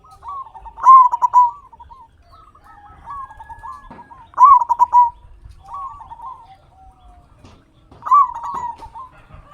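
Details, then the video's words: Local zebra dove with a loud, lively voice, used as a lure to stir quiet captive doves into singing: rolling, stuttering coos around a mellow mid pitch, each burst-led phrase repeating about every three and a half seconds over faint low background rumble. "Perkutut Lokal Gacor Suara Besar Pancingan Burung Perkutut Agar Cepat Bunyi"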